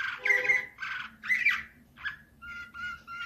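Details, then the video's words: Canary performing nightingale-type Slavujar song, 2024: harsh buzzy warbled phrases, then steady clear whistled tones repeated in short even pulses, over a low background hum. "Uccello dell'usignolo delle Canarie Slavujar"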